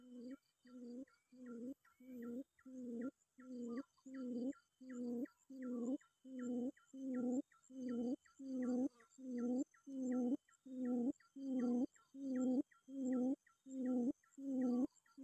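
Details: Quail calling a rival, used as a lure while seeking an opponent: a low, hollow hooting note repeated steadily at about one and a third per second, each with a brief higher flick, across fifteen seconds.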